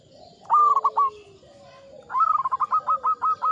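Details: Ngepat Mataram rhythm from a local zebra dove: a short phrase of a few rolling coos, a brief pause, then a longer run of about ten even, rhythmic coo notes.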